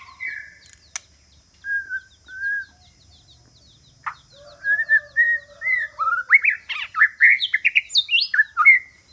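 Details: White-rumped shama singing as a decoy to lure rival birds: a few sparse whistled notes and a sharp click early, then a fast run of varied rising and falling whistles building toward the end.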